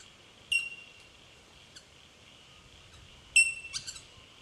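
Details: Bell miner, known by the Aboriginal name jumjum, calling in Victoria, Australia, in March 2011: two loud, short, ringing bell-like pings, each a clear high note with bright overtones, separated by about three seconds, plus a few faint softer notes between them.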